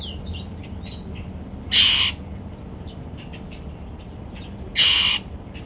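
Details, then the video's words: Pet male Golden-fronted Leafbird at breakfast on apple: two strong, rasping, buzzy calls roughly three seconds apart, with faint soft chips between and a low background hum. "Golden-fronted Leafbird"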